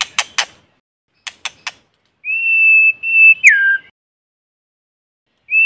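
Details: White-rumped shama singing a lure song in forest: two sets of three dry clicks, a sustained pure whistle, then a whistle swooping downward, and a new whistle beginning at the end. No background noise.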